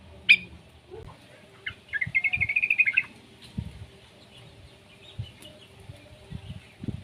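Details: Juvenile yellow-vented bulbul giving a single short, bubbly warbled phrase after an opening sharp note, followed by quiet with faint thumps and low rumbling background noise.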